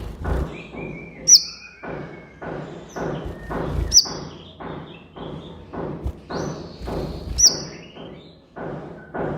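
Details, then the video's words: Van Hasselt's sunbird in full song, used to lure captive birds into singing. Sharp high piercing notes recur about every three seconds, mixed with thin descending whistles. Steady low thumps are heard throughout. "MASTERAN BURUNG KOLIBRI NINJA GACOR COCOK BUAT PANCINGAN KOLIBRI NINJA MALAS BUNYI DAN BAHAN"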